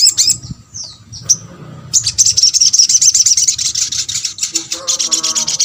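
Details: A crimson sunbird (sogok ontong), recorded to encourage other sunbirds to respond, gives a few high chips and a down-slurred whistle, then a long, dense, high-pitched twittering stream of rapidly repeated notes.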